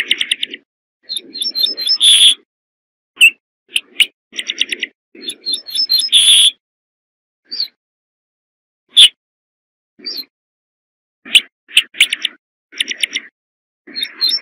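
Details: Several rapid song phrases from a corn bunting: quick ticking stutters building into jingling runs with a ringing end note, interspersed with single chips and brief gaps.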